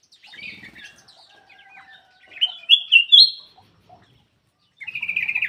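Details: Black-crested bulbul singing vigorously, used as a lure to prompt quiet birds to sing; short chattering, slurred phrases with a few bright rising notes, then a fast buzzy trill at the end.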